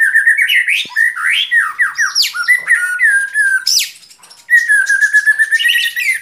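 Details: White-rumped shama in rich, varied song: rapid rising and falling whistled phrases, short trills and sharp upswept notes pouring out almost continuously, with one brief pause near the middle.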